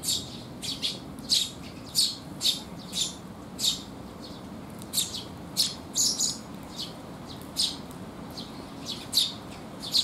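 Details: On a rainy day in June 2021, a group of sparrows arrives to be fed and gives rapid high chirps, about sixteen in ten seconds, some doubled, with a soft low background rumble.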